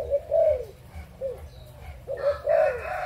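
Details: Adult spotted doves of Malaysian and Thai lines, recorded 22 January 2022, giving soft low coos in two phrases, each a short note followed by a longer drawn-out coo.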